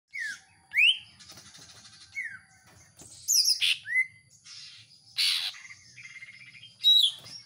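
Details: Caged greater green leafbird kept at home, singing a varied song of loud, sweeping whistled notes and sharp rising and falling slurs, separated by short pauses, with buzzy chatter between phrases.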